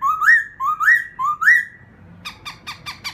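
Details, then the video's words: Three rising whistled phrases, each climbing and ending in a held note, from a laughingthrush sung to provoke a fresh wild-caught bird, followed by a fast series of harsh chattering notes. "khướu kích bổi"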